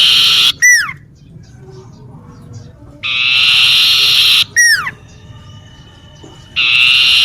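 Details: Singing common iora in a garden near a home, alternating quick downward-sweeping notes with long, even, ringing whistles roughly every four seconds.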